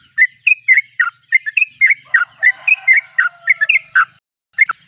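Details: Sooty-headed bulbul (trucuk) noted for persistent singing (gacor): clear whistled notes, a few drawn out and level, others sharply slurred, in a brisk series ending after a short gap with a couple of abrupt notes.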